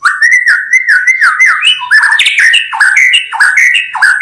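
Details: White-rumped shama singing without a break, used as a trapping lure: rich, mid-pitched warbled whistles that step up and down in rapid, rolling phrases.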